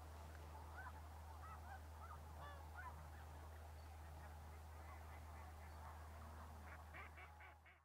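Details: Sandhill crane flock during December migration at Bosque del Apache Wildlife Refuge, New Mexico. Many birds call at once, with rapid overlapping rattling honks and a burst of clearer repeated calls near the end, above a constant low background hum.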